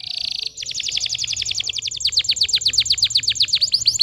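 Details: Canary 'pancingan' song meant to rouse young canaries that are slow to sing: a brief buzzy note, then a long, rapid run of steeply falling whistled notes that grows louder and quicker.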